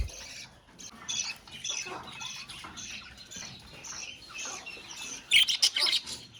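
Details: Budgerigars calling together in a colony: dense, overlapping high chirps and scratchy warbles run without pause, with a burst of sharper, louder squawks near the end.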